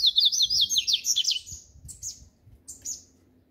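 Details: Double-collared seedeater singing the song style called "grego": a fast run of sharp, high whistled notes jumping up and down, then a few separate buzzy chips with short gaps and quiet background.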